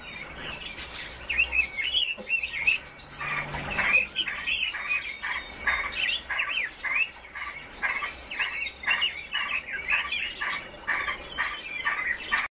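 Red-billed leiothrix give a busy run of bright, warbling chirps, short rising and falling phrases repeated almost without pause, with several birds seemingly singing at once.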